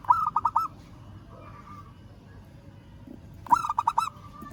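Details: Local zebra dove calling a rival, giving two rolling pulsed coos about three seconds apart, with a faint soft note between them and low background hum.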